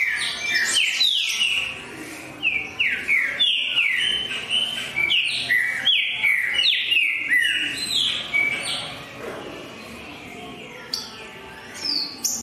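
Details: Green-winged saltator in full song: vigorous whistled notes sweeping downward, repeated rhythmically about three times a second, then a quieter pause before a few final whistles.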